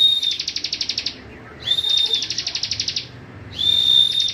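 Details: Cibon song for tutoring other cage songbirds: each phrase starts with a steady high whistle and breaks into a quick series of about a dozen buzzy, clipped notes, repeated three times.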